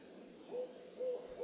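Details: At moonrise by the Carpenter Mountain lookout in Oregon's H.J. Andrews Forest, USA, an owl gives three brief, level toots at one pitch, roughly half a second apart, against faint background hiss.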